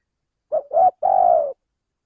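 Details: Spotted dove, a male, calling as a trapping lure: a soft clipped coo, a fuller second note, then a long steady hollow coo that trails off, the whole phrase lasting about one second.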